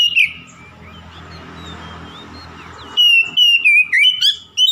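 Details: Oriental magpie-robin song used to goad a rival: one brief whistle, a long gap of hissy background noise, then a burst of short, bright whistled notes in quick succession.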